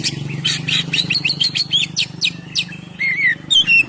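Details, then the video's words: Oriental magpie-robin (kacer) singing in the loud ngeplong style, used to lure birds: bright, varied high whistles and quick chirps, rapid and irregular, with a steady low hum underneath. "suara Kacer ngeplong"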